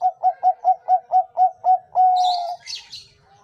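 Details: Song of a kept Bangkok zebra dove, for voice training: eight quick, bouncy coo notes at an even pace, ending in one long level coo, followed by brief high, scratchy chirps.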